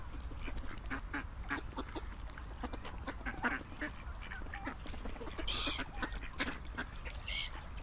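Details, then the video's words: A group of ducks quacking together, with many short, harsh, nasal calls overlapping in a dense, steady chatter and a low rumbling background throughout. "Quacking Duck sounds"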